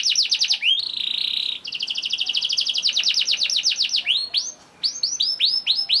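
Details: Young male domestic canary (kenari paud) song used as a lure to prompt other canaries to sing: rapid repeated chirps at 2–6k, a sustained buzzy trill, fast rolling trills, then descending and rising whistled notes.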